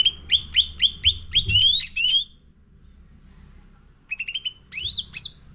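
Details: Training lure song of a sooty-headed bulbul. Spaced, sharply descending chirps speed into overlapping rising whistles. After a quiet gap, a short chirp cluster and two strong upward-sweeping notes follow. Some low rumble underneath.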